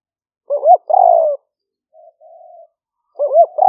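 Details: Spotted dove recorded near rice fields in Roi Et, Thailand, in the rainy season for lure trapping: a warbled double coo, a long descending coo, a faint soft coo, then the phrase starting again.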